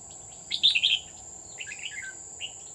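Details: Decoy red-whiskered bulbul singing during a trapping session at Núi An Phú, Chùa Hương, on 20 October 2019: a bright, rich warbled phrase, then a lower, softer rolling phrase and a brief note, over steady insect buzzing.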